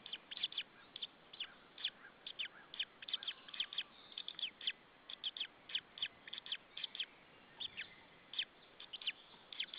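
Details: Male white-tailed eagle at its nest in Saunja, Estonia, calling as another white-tailed eagle arrives, evening of 26 April 2013. Rapid, sharp, high yelping notes come in bursts of two to five throughout, with short pauses between bursts.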